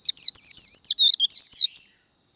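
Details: Short burst of Japanese white-eye líu đấu fighting song: around ten quick, high, slurred chirps rising and falling within two seconds, ending in a thin sustained whine.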